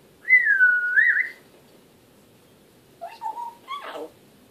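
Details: Talking African grey parrot producing a loud, clear, wavy whistle of over a second, then after a pause a quick run of three short chirpy notes ending in a rough burst.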